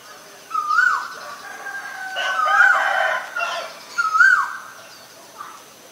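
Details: Male Asian koel calling: three rising, whistled notes, each sliding upward and then dropping, spaced about one and a half seconds apart. A fainter, hoarse murmur fills the gaps, with a brief soft note near the end.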